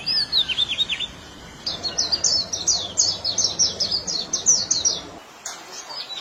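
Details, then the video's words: Bird singing, recorded May 5, 2023: very high, thin chirps delivered in a rapid rhythmic string of rising and falling notes over a low steady background hiss. "Natural Beautiful Real Sounds of Birds"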